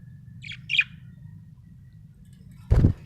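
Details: Happy budgie chirping: two quick, high chirps close together near the start, then a dull low thump and a steady low hum underneath.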